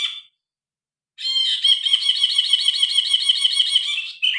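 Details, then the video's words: Grey-cheeked bulbul, phone recording, gives a brief note, then a loud steady rattling trill of rapidly repeated notes lasting about three seconds. "Burung brinji kelabu gacor. Masteran burung.Suara burung brinji kelabu"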